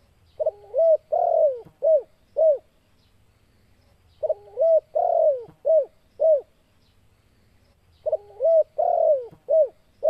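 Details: A spotted dove gives low, hoarse cooing phrases of four or five notes, repeated about every four seconds, over a faint low hum. The calls are said to provoke other doves to fight.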